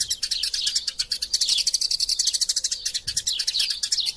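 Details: Fighting Eurasian tree sparrows, kept as a masteran tutor recording: a nonstop stream of sharp, high chirps and tweets, many birds calling at once in a busy, excited chatter.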